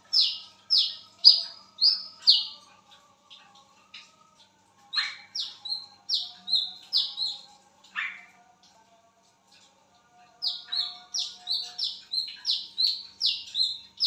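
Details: Wiceh bird calling actively at midnight: bursts of sharp, high, down-slurred whistled notes in quick runs, broken by pauses and a few scattered softer chips.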